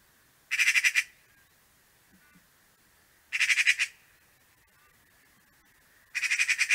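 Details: Eurasian magpie at a garden bird feeder in an early snowy winter, late November 2023, giving three harsh, rattling chatters. Each is a quick run of about eight dry notes, spaced roughly three seconds apart, over a faint background hum.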